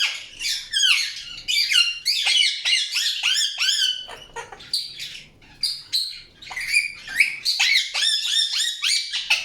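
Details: Dense, continuous chatter from an Indian ringneck parakeet, with overlapping high, sweeping and buzzy notes, short sharp squawks and a brief lull near the middle before the chattering resumes.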